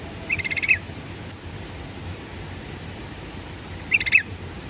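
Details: Sooty-headed bulbul song used as a lure to prompt other birds to answer: two short bursts of bright chirpy notes about four seconds apart, each under half a second, over a quiet rural background.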